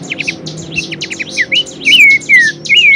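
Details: Horsfield's babbler, a bird-training vocal recording: a busy stream of quick chirps builds into loud, sustained whistles that slide gently downward, each about a third of a second long, delivered in close succession.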